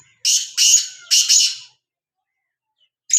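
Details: Harsh, rasping call of a black francolin, two pairs of loud buzzy notes run together over about one and a half seconds, followed by silence and the start of another note.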